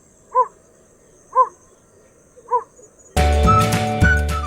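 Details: Yellow Bittern, a very small heron of marshy, well-vegetated water in Sri Lanka, gives three short, harsh, croaking notes about a second apart. Music then takes over.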